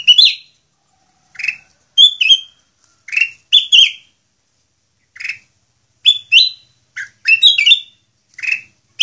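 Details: Long-duration song of a kutilang emas bulbul, offered as a model for other songbirds to learn: loud fluty two- and three-note phrases, each falling slightly, repeated roughly every second over a silent background.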